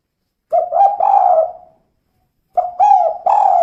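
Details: Female spotted dove giving the kuk-kuk call: two bursts of mellow cooing notes, a short stutter rising into a longer drawn coo, separated by about a second of silence.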